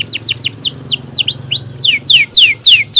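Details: Loud canary song in the prolonged 'gacor' manner meant to lure quiet canaries into singing: a series of clear whistled notes sweeping steeply downward, with some upward slurs, delivered about three per second.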